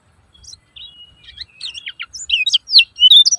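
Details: Lemon-bellied white-eye (kecial kuning) ciak ciak chatter, used as a lure for silent birds: faint thin notes that swell into loud, quick, high twittering chirps.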